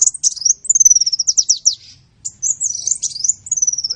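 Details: Sunbird singing, recorded for songbird training: a fast run of sharp, high notes slides into a thin descending series, a short silence, then another run of twittering and squeaky trills.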